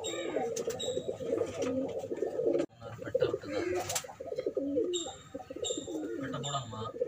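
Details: Several pigeons cooing at the start of a 2021 pigeon race, overlapping low burbling coos in dense succession, with short bright clicks and clatter between phrases.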